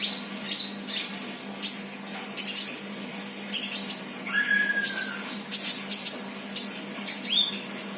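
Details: Vocal untrained young sunbird producing a busy series of high, thin chirps and twitters, broken once by a longer, lower whistled note that slides downward, all over a low continuous hum.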